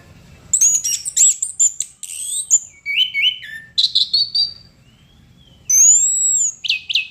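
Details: Chestnut-capped thrush singing vigorously: short bursts of varied, high, clear whistled and buzzy phrases separated by brief pauses, with a long sliding whistle near the end; the background is quiet.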